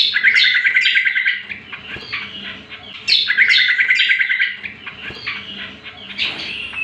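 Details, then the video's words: Cucak kombo, the greater green leafbird, singing a training and lure song: a fast rattling trill opens each phrase, then chirps and short whistles trail off. The pattern comes twice, with a steady low hum underneath. "Pancingan dan Masteran Cucak Kombo"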